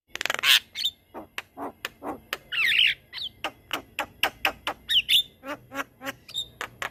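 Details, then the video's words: Javan myna in a long rolling song used as a master for other mynas: fast run of dry clicking ticks broken by loud harsh squawks and short whistled slurs, pace steady and busy throughout. "Jalak Kebo Gacor Ngeroll Panjang Cocok Untuk Masteran Segala Jenis Burung Jalak"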